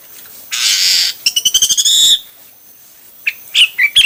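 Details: Hwamei singing in varied styles: a harsh, buzzy burst, then a rapid rattling trill of bright notes rising in pitch, a pause, and a few short whistled notes.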